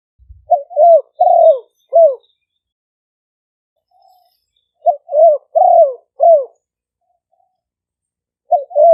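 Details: Live smartphone recording of two Malay-strain spotted dove decoy birds in Roi Et province, Thailand, used for luring doves. Three groups of three or four soft, low coos, each group followed by long silence.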